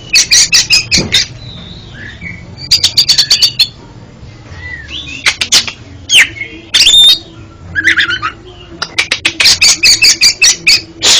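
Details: Oriental magpie-robin singing, as therapy for a bird with stuttering song: long rapid trains of harsh rasping notes, repeated in bursts, separated by brief whistled slurs and one loud squeal.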